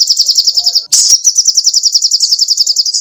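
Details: Lively songbird known locally as sogoh ontong, recorded as training song for caged songbirds: a fast, high, even trill of sharp repeated notes, about three or four a second, briefly broken by a loud burst before resuming.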